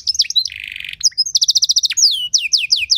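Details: Brief stretch of canary training song with cengkok phrasing: chirps and a coarse buzzy roll, then a bright rapid trill and several sliding downward whistles.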